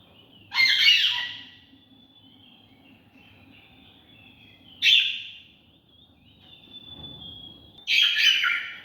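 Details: Macaw in a cage, climbing on net, gives three loud harsh squawks spaced a few seconds apart over a steady high whistling tone and low hum.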